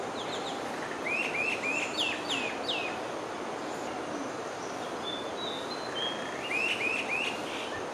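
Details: Male common myna (Indian myna) singing: a run of rising whistled notes repeated in quick series, then a pause with thin higher notes, and another run of three rising whistles near the end, over steady background noise.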